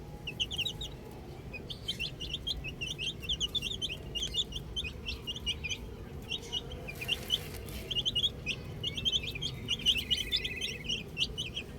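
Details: A group of small chicks playing with a ball chirps steadily: bursts of rapid, high, clipped peeps from several birds, briefly thinning midway, then resuming as a busy overlapping chorus.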